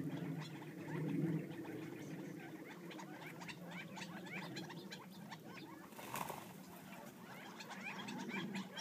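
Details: Quiet chattering of a feeding group of wild Gambel's quail outside Florence, Arizona: soft, closely packed rising notes, a brief loud rustle partway through, and low background rumble.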